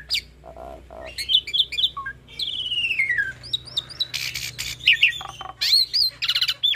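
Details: Hybrid starling in full song, kept for tutoring pied mynas and other songbirds: varied whistles and chirps, a long slurred descending whistle, harsh rasping bursts and repeated high twisting notes, over a steady low hum.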